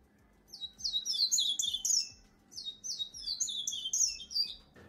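A Double-collared Seedeater sings two rapid phrases of high, sweet, tumbling twitters, each about two seconds long with a brief gap, over a faint low hum.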